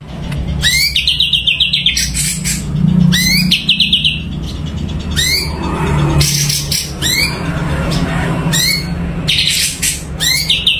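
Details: Sumatran leafbird, a caged bird singing in very lively form, delivering loud repeated phrases of rapid rising notes and sweeping whistles every second or so, with a steady low hum underneath.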